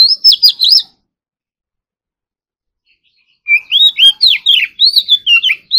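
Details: Morning song practice of an Oriental magpie-robin: a brief fast burst of high whistled notes, then about two and a half seconds of silence, then a lively series of rising and falling whistles and chirps.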